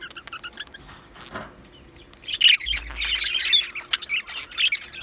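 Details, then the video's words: Two male Budgerigars chirping: a few soft high chirps, a quiet stretch, then from halfway a burst of rapid, scratchy, high chattering and squeaky notes in uneven bunches. "2 Male Budgies Birds Sounds | Australian Budgies Birds chirping sounds"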